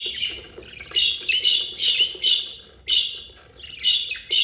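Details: Budgerigar mother with her four chicks, two yellow and two green, the eldest 32 days old; harsh raspy chirps repeated in quick bursts, several overlapping, with short pauses between.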